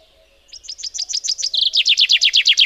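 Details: Chaffinch singing a full phrase: about eight crisp descending notes, a short buzzy even trill, then a rapid, loud series of dropping notes that grows stronger to the end, with no other sounds.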